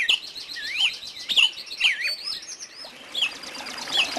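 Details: Woodland birds singing in looping, whistled phrases that rise and fall, with bright slurred notes and several birds overlapping in steady background chatter.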